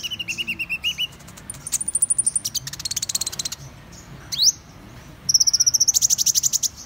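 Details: Varied song of Van Hasselt's sunbird: a lower buzzy trill, then high ticking series, a sharp rising sweep, and a long rapid run of thin, metallic high notes.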